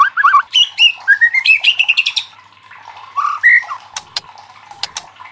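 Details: Loud White-rumped shama song played to prompt rival shamas to answer: quick falling whistles, then a rising run of clear notes, a pause, a few slurred whistles and sharp clicks.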